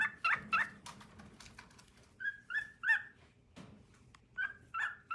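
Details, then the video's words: Male cockatiel singing to his partner in loose clusters of short, harsh chirps, with uneven gaps between groups of two or three notes. "Singing for his soul mate"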